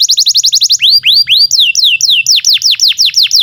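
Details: Canary song used as a master recording for young canaries and ones that have stopped singing: a fast train of high sharp notes, then slower loud rising-falling sweeps, then rapid downward-swooping whistles repeated several times a second.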